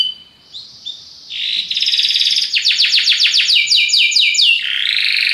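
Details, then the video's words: Belgian canary giving a powerful song: thin whistled notes, then a long fast trill of rapidly repeated descending sweeps, ending in a smooth rolling phrase. "belga canário encantador, canto muito poderoso"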